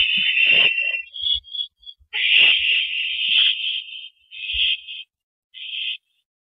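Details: Owl calling at the nest on an April 2012 evening during a rabbit delivery to its mate: drawn-out raspy, hissy screeches, one long sustained burst followed by two shorter ones, with faint low knocks beneath.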